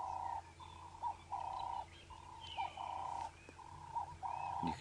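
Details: A ring-necked dove perched nearby at sunrise on 19 August 2016, on a safari drive, gives a run of mellow, hollow coos, its throat puffing out with each call, over a low engine hum and faint chirps.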